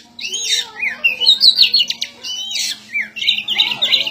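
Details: White-rumped shama (kacer) singing as it fights: slurred whistles rising and falling, a short dense trilled burst, then a brief pause before more warbled phrases. A faint low hum lies underneath.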